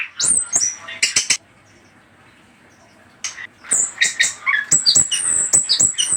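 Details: Orange-headed thrush in a lure recording made to get other birds answering: piercing high whistles and sharp chips, a pause of about two seconds, then a quick series of high, slurred notes.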